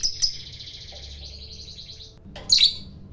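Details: Lovebird of the fighter type, whose long chatter is said to rile other lovebirds: a thin, high chattering trill for about two seconds, then a loud, harsh squawk.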